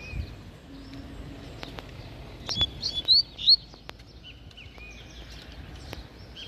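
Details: Wild double-collared seedeater near a fence in open Brazilian countryside, in a singing dispute with a caged rival while a female arrives. Brief clusters of high, thin, slurred notes rise and fall, then fade into faint background chirps and rustling.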